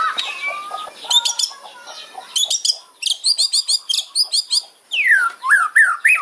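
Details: White-rumped shama giving a sharp kretekan fighting song meant to rile rivals. Scratchy chatter leads into a regular series of crisp, high clicking notes, then loud swooping whistles that fall and rise.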